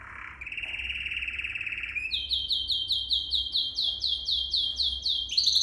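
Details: Canary song used for training young canaries: a steady buzzy trill held near one pitch for two seconds, then a fast series of high, repeated swooping whistled notes.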